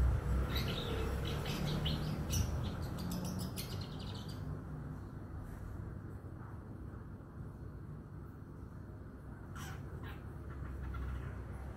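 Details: A young male Madura long-tailed shrike, newly independent, learning to compose song: rapid, harsh, scratchy notes in bursts at the start and again near the end, over a steady low rumble.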